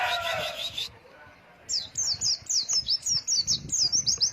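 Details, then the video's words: White-eye song in the ngalas wit wit long-breath style, a training recording for young birds. A noisy rushing burst opens the clip, then a steady series of quick, sharp, high chirps follows after a short pause. "MASTERAN PLECI NGALAS WIT WIT NAFAS PANJANG"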